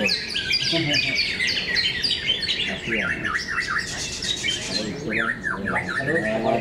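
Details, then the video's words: Greater green leafbird singing at a bird-singing competition in Cikeas, Indonesia; rapid run of varied chattering, looping and slurred notes with squawky tones, announcer speech and competition crowd noise around it. "Seeunya pertatungan burung cocak ijo"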